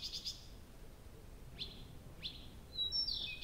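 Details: Nightingale at Abramtsevo singing all night in early June, recording begun 23:00 on 6 June 2021: short rattling notes, two quick upward sweeps, then a clear high whistle with faint low hiss behind.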